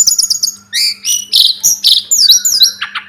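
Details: Loud, rich song of a Sunda robin, locally tledekan gunung, in a tutoring recording. Rapid high chips and trills alternate with full, buzzy bursts and sweeping notes. A steady low electrical hum runs beneath.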